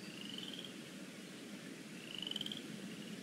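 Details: Eaglets at the Decorah North nest on a lazy afternoon, 13 April 2017, pinfeathers starting to show: two high, thin, rising calls with a rapid pulsed texture, about two seconds apart, over steady low background rumble.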